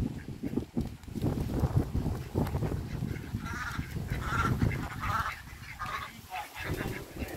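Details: Ducks foraging and playing in a river, with a run of harsh, nasal calls in the second half, repeated about every half second, set against continuous low, rumbling water and background noise.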